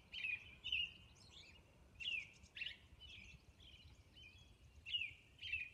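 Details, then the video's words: Dawn song of a Robin on Orcas Island: short, rich, whistled caroling phrases about two per second, with slurred rising and falling notes and occasional thin high squeaky notes between them, against a faint low hum. "Dawn Robin Song"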